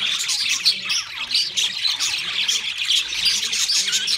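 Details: Budgerigars kept as pets warble in a dense high chorus of chirps and scratchy squeaks, with soft low cooing notes beneath.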